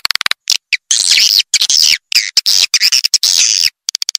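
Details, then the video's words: Swiftlet calls played to attract swiftlets: dense high chattering twitters in bursts with sharp clicking notes between them, choppy and broken by abrupt silent gaps. "Suara Burung Walet Panggil"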